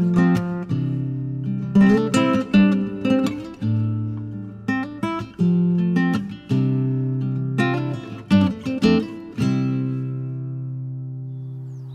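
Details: Only strummed and plucked acoustic guitar music is heard, with no animal sounds.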